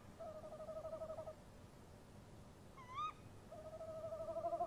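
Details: Night-time duet of a male and female tawny owl near their nest box, 23 March 2015: a trembling male hoot, a pause, one shrill upward-sweeping kewick from the female, then the male's wavering hoot resumes, louder.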